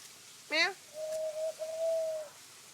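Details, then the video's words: A Black-collared starling that apparently never learned to sing from its parents makes funny noises: a short harsh, rising rasp, then a long, steady, flute-like whistle held over a second with one brief break. "Black Collared Starling making a bunch of funny noises"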